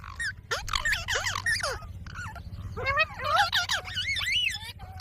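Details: Green parrot talking, said to say "Mummy" and "mitthu": bursts of harmonic, wavering voice-like syllables with sharp pitch sweeps in two phrases separated by a short pause, over a low steady hum.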